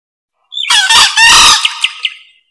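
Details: Green junglefowl crowing, recorded as a lure: a rough, broken crow of three hoarse pulses with a sustained raspy end, then three quick high pips as it fades out.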